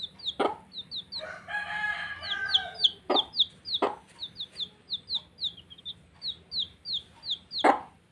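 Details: Several baby chicks at play cheep steadily, each note a bright falling peep, repeated about every half second. A brief buzzy, harmonic chirp early on, with sharp knocks and taps throughout.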